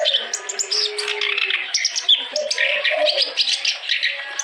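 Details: Clamorous reed warbler in full, lively song, offered to stimulate other birds that are reluctant to sing. The song is dense and busy, with harsh chattering and high twittering chirps running continuously. Lower tonal notes sit underneath.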